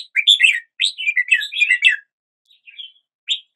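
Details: Morning song of a red-whiskered bulbul: a quick cluster of liquid, bubbling whistled notes lasting under two seconds, followed by a soft short note and a final sharp chirp.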